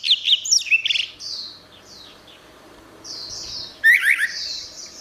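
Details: Orange-headed thrush song meant to coax a silent bird into singing: rapid high twittering notes, a long pause of softer warbling, then a loud burst of sharp rising whistles.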